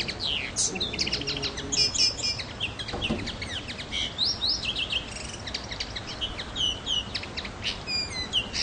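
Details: Common linnet in song on Pantelleria, 9 January 2011: a long, lively stream of high twittered chirps, rapid trills and slurred whistles, unbroken for several seconds against faint background noise.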